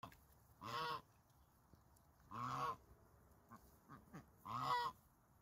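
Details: Farm goose giving three spaced, nasal honks, each under half a second, about two seconds apart, with faint soft clicks between over a quiet background.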